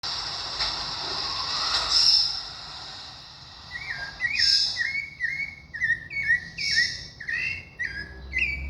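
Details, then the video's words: Thrush (sabiá) singing a series of clear whistled phrases, each a short falling or level note, delivered in quick succession after a few quiet seconds with faint background hiss. "sabiá do Cícero."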